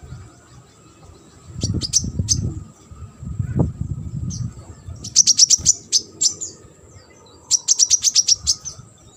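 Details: Sunbird song used as a training recording for competition birds: bursts of rapid high thin chips and trills in quick clusters, with gaps between, over low background rumble.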